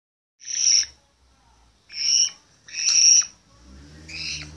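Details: Hand-fed Grey parrot chick, 65 days old, playing a lot: three loud, harsh, high screeching calls about a second apart, followed by a softer raspy, buzzy call ending the clip.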